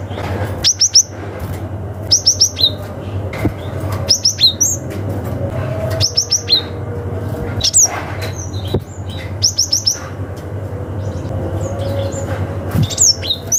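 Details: Cinereous tit with a forest-style call to rivals, used to lure young wild birds: short volleys of three or four sharp, high chirps repeated about every two seconds, over a steady low hum.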